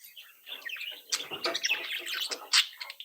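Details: Young budgerigars from one brood warble and mimic in a dense, rolling chatter of buzzy notes and sharp high squeaks, growing louder after the first second.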